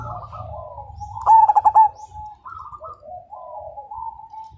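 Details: Zebra dove (perkutut) of the Majapahit line, a lively fighter singer whose voice sets other birds cooing: one loud, rapidly pulsed cooing phrase of about five beats, with fainter doves cooing steadily in the background.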